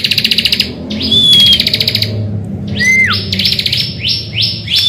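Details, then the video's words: Energetic morning singing by a bar-winged prinia, used to lure other birds: a rapid rattling buzz, a smooth whistled glide, another trill, then a falling slur and a quick series of rising sweeps. "Pancingan Ciblek Gacor Di Pagi Hari"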